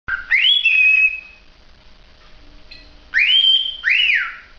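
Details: Cockatiel whistling: a rising note sliding into a long level whistle, a quiet pause, then two more rising, arching whistles near the end.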